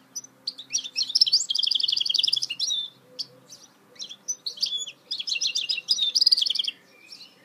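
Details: Goldfinch hybrid mule in full song, 2018: rapid rattling trills of bright, high notes run in long, dense phrases. A brief quieter gap splits them before another vigorous trilled run.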